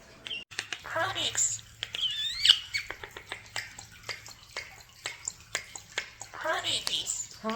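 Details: Pet common starlings talking in an indoor bird room: dense clicks, rattles and squeaky mimicked fragments repeated rapidly, with occasional whistled slides and soft praise from a woman nearby.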